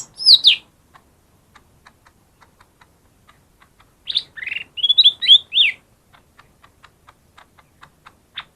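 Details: Lesser green leafbird song, used as a lure to prompt reluctant birds to sing: a brief burst of high, sharp whistled notes, then a run of faint, evenly spaced ticks and a second, longer phrase of bright, slurred whistles mid-clip.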